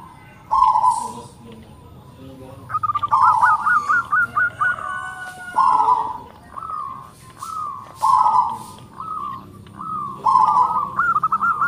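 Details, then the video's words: Zebra dove of local type, big-voiced, singing its close-packed song: a short coo, then a fast stutter of clipped notes running into drawn-out purring coos, repeated in bursts about every two to three seconds. "PERKUTUT LOKAL SUARA BESAR NADA RAPAT MANTAB, YANG LAIN PASTI NYAUT"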